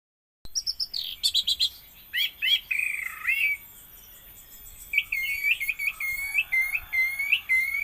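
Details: Orange-headed thrush song of the type called raja patah, a run of varied whistled phrases, some rising and falling, delivered in bursts with short pauses, bright and high.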